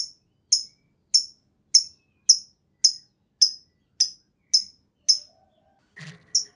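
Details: Lovebird lure recording to prompt other lovebirds' long ngekek: a steady run of sharp, high, descending chirps roughly every half second, with a brief low knock near the end.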